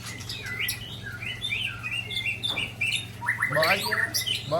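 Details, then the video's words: White-rumped shama from Ujong Pancu showing rare 'isian' phrases: clear, spaced whistled notes, then a rapid burst of buzzy, descending trilled figures toward the end, with a low hum throughout. "Murai Ujong Pancu SMBF Tumpahkan Isian Langka"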